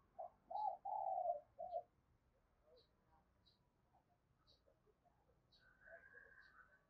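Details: Spotted dove decoy cooing: a quiet, low phrase of hollow coos with a slurred ending opens the recording, followed by background hiss, faint high ticking notes and a brief thin whine.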